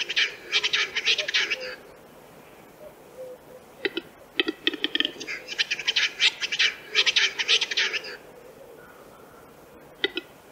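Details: Western Capercaillie recorded in Central Russia: a rapid rasping, scratchy series, a pause with soft low notes, isolated clicks, then a longer accelerating bout of harsh scraping bursts, and a final click.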